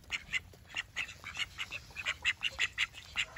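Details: Call ducks, domestic duck (Anas platyrhynchos domesticus), giving a rapid run of loud, high, nasal quacks, roughly five or six per second, with a faint steady hiss behind.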